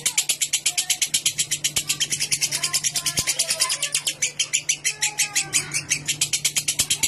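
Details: Lovebird ngekek, a long chattering song for prompting other lovebirds: rapid shrill chips repeat steadily over a low constant hum, with faint softer whistles from other birds behind.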